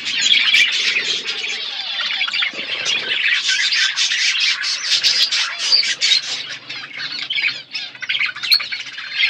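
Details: A group of pet budgies eating seeds inside a natural outdoor aviary: dense, unbroken twittering and scratchy chirps from many birds at once, steady throughout.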